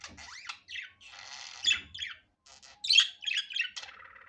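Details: Budgerigar natural sound without editing: buzzy chattering trills, a rising whistle, sharp squeaks and a closing nasal buzz, with faint low thuds.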